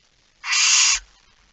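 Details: Nighttime barn owl inside a nest box, September 2019, with chicks present: a single loud, rough, breathy hiss lasting roughly half a second, steady in strength, then quiet.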